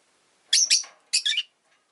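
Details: Pet rosy-faced lovebird calling: two quick, loud, rasping chirps, then a pause and a double chirp, all high and harsh, against a quiet room.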